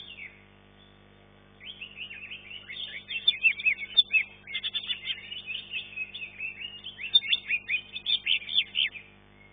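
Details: Contest green leafbird, caged, third in its class: silence for over a second, then a long, continuous torrent of twittering, trilled and whistled notes with sharp accents.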